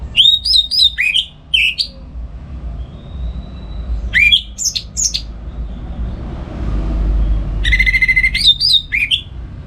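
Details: Orange-headed thrush in a home cage in Singaraja, North Bali, in full morning song used to lure and tutor other birds. Three separate groups of quick, high, slurred whistles are divided by pauses, with a low hum underneath.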